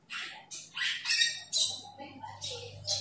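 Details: Asian glossy starling calling a rival: several coarse, hissing squawks about every half second over a faint low hum.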